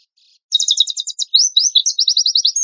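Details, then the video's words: Oriental white-eye in lively singing form, a 'tembakan kasar' (rough burst) lure song: after half a second of quiet, fast buzzy rattled trills, then a run of short high chirps repeated rapidly. "PANCINGAN PLECI GACOR TEMBAKAN KASAR"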